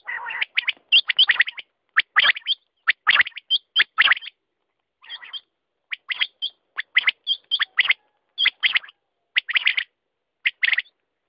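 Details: Quail keep up a long series of sharp, high chirps in uneven bursts, about 66 a minute, with one brief pause midway.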